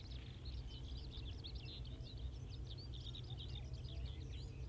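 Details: Common Reed Bunting at Wakka Primeval Flower Garden, Hokkaido: a steady run of thin, high chirps and short upslurred notes over a loud, low rumbling background hum.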